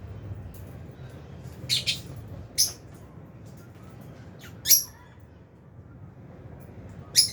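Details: Aviary lovebird flock of albino and Fisher's birds while eating; a double scratchy note, then sharp single shrieking chirps spaced two seconds apart.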